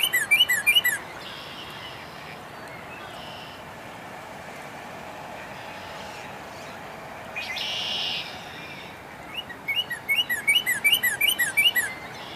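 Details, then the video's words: A male Northern Cardinal sings rapid series of loud, clear slurred whistles, a brief phrase then a longer run after a pause, over a low steady background hiss; filmed at Dufferin Islands on April 1, 2019. "Cardinal Song"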